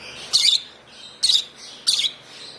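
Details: Three loud, grating high chirps spaced about three quarters of a second apart from a hand-fed African lovebird chick aged one month, hand-fed since two weeks old, in a quiet room.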